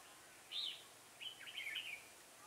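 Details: Decoy red-whiskered bulbul used to lure birds into a trap gives a loud bright phrase followed by a longer rolling, warbling run, over faint hiss.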